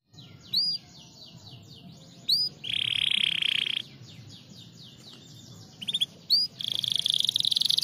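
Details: Canary song in separate bursts: a few high, sharply falling whistled notes, a loud buzzy roll lasting about a second, more brief whistles, then a long rapid buzzing trill at the end, with quiet gaps between phrases.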